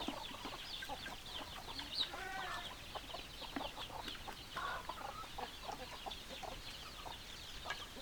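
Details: Flock of chickens with hens clucking: continuous overlapping chatter from many birds, a brief louder drawn-out squawk near the start and another rising note midway.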